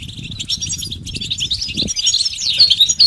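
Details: Brief stretch of European goldfinch betbeta and setseta song for stimulating males: quick high chirps and twittered notes, a short pause near one second, then denser warbling, over low rumbling noise.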